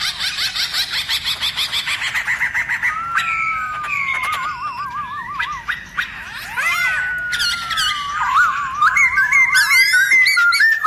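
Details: Forest-style song of a Black-throated laughingthrush, played to excite other laughingthrushes: quick pulsed notes give way to sliding whistles, a wavy warble and loud looping phrases with harsh accents.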